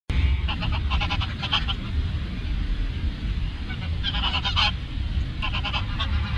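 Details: Geese at Lagoa Maior in Três Lagoas giving bursts of nasal honks in three groups, against steady low rumbling background noise.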